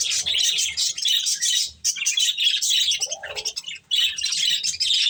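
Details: Pet budgerigars feeding on corn chatter in rapid high chirps and scratchy squawks, with two short breaks and a lower raspy note midway.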